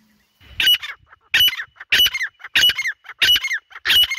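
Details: Grey francolin (dhakni teetar) calling in the jungle: six loud, grating notes, each ending in a rising whistle, delivered in a steady rhythm roughly every two-thirds of a second.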